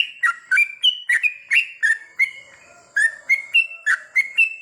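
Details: Yellow-vented bulbul singing at night: quick bright whistled notes, each dropping or jumping between pitches, around three per second with a short pause midway, over a thin steady high tone.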